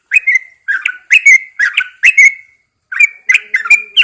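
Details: Early-morning song of a caged Yellow-vented Bulbul placed outdoors. Rapid bubbly phrases of two- or three-part slurred whistles follow one another, with one short break midway.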